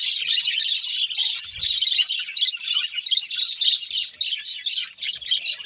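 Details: Pet budgerigars kept as a breeding pair keep up steady, high warbling chatter, with quick chirps and scratchy notes run together in a constant flow and one brief low thud.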